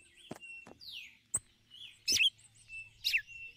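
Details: Female red-cowled cardinal calling the male, giving ticulau: sharp chirps come in a quick run, the loudest two close together near the end. Soft clicks, sliding whistles from other birds and a low hum sit behind them.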